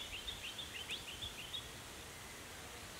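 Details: An adult male Crested shrike-tit, or possibly another individual, at a small pond in Capertee Valley, NSW, in March or October, gives quick thin high chipping notes, about three a second for 1.5 seconds, fading into soft rustling.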